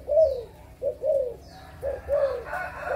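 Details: Adult spotted doves of Malaysian and Thai stock, recorded 22 January 2022: soft, low, hollow coos in short rhythmic groups, each note gently rising then falling, with a thin high bird note faintly heard and mild background noise.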